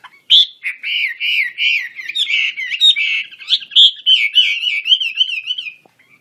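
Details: Chinese hwamei (wambi kembang) singing vigorously with wings spread: a steady, loud stream of undulating, wavering whistles with sharp accents, running for nearly six seconds.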